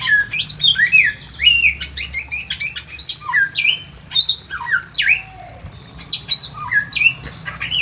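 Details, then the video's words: Pekin robin (samyong) singing lively in a simple aviary: dense bursts of high sweeping whistles and quick chirps, bright rising and falling notes in clusters, a short low slur midway, steady faint hum underneath. "KICAUAN BURUNG SAMYONG GACOR SUARA ASLI ALAM LIAR DI KANDANG AVIARY SEDERHANA"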